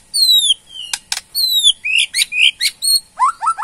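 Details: Borneo white-rumped shama in its ketrekan bout, meant to provoke a reply: clear descending whistles alternating with sharp clicks, then short rising slurred notes and a quick run of upward-sweeping whistles.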